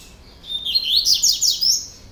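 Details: In the procurador style, a breeder's captive double-collared seedeater in Brazil sings a quick, sharp sequence of high, swooping, twittering notes lasting around a second and a half.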